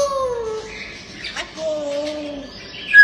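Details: Grey parrot kept as a talking pet: a drawn-out, slightly wavering whistle that slides down, repeats at a similar pitch, and ends with a brief high squeak.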